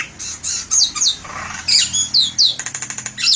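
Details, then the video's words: Javan myna in full voice, recommended as a lure: chattering squeaks and high downslurred whistles, a brief buzzy note, then a quick series of about nine dry rattling clicks before a final squawk. "SUARA MERDU BURUNG JALAK KEBO SUPER GACOR"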